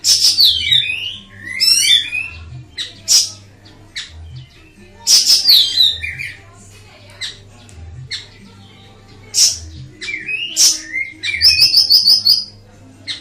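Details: Master song of an ashy tailorbird: repeated high descending slurred phrases, sharp chip notes and a final rapid trill of bright notes, in bursts every few seconds, with a quiet low hum beneath.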